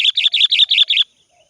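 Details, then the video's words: Sooty-headed bulbul calling to lure a rival, a rapid run of six harsh chirping notes in about one second, bright and buzzy, then silence. "Suara burung kutilang gacor memanggil lawan"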